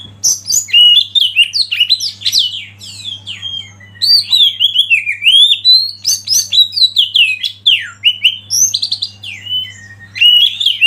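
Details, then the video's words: Oriental magpie-robin (kacer) singing as a master bird meant to provoke other birds into singing: a rich, rapid run of varied whistled notes, sharp upslurs and twittery trills, with a few brief pauses, over a steady faint low hum. "Masteran KACER Pancing Emosi dan bikin gacor yg lain"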